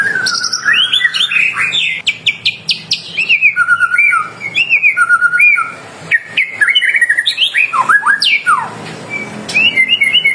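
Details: White-rumped shama singing energetically as a lure for other shamas to respond: a rich, varied stream of whistled phrases, slurs and sharp high notes, changing pattern every second or so, with brief pauses and clicks.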